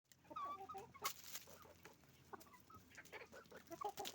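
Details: Roosters and hens on a chicken farm making noise, with overlapping clucks and short squawks from many birds against a steady background hum.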